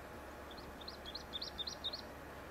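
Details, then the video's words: Pine grosbeak at its nest in elfin pine forest on Sakhalin island: a quick run of about eight short, clear whistled notes, steady and evenly spaced, over a constant low hum. "PINE GROSBEAK SONG"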